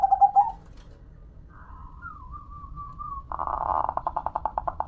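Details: Local zebra dove (perkutut) kept as a hobby bird, a short steady tone, then a quiet wavering whistle, followed by a run of rapid pulsed coos repeated about three times a second in a small room.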